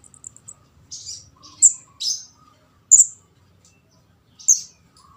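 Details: Young orange-headed thrush begging, a sound used to lure and catch birds: a few tiny high ticks, then sharp, very high-pitched squeaky chirps with buzzy edges at uneven intervals over quiet background.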